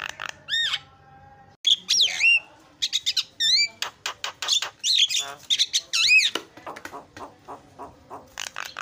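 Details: Starling song used as a lure to get silent starlings singing: varied whistled notes, some looping up and down, mixed with sharp clicks and chattering bursts.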